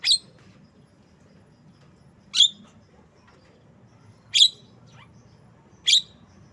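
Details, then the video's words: Four sharp, harsh shrieking chips from a Javan myna, spaced roughly every two seconds, each very brief and loud over a quiet, low background rumble. "Bird Song Jalak kebo"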